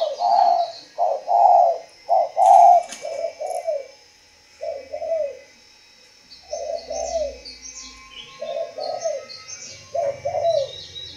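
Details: Spotted dove from a breeding facility cooing in a long run: loud low hollow coos early, then softer paired coos after a pause, with a brief clatter and faint high twittering from other birds.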